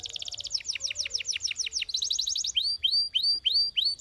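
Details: Canary singing a relaxing melody: a run of rapid high downswept notes about six per second, a brief faster buzzy roll, then slower arched whistled notes repeated roughly three times a second.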